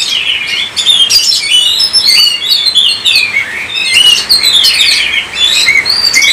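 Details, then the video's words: Kacer, the Oriental magpie-robin, in full gacor song meant to set other birds singing: dense run of quick whistles, slurred rising and falling notes and crisp high clicks, with barely any pause. "gacor kacer"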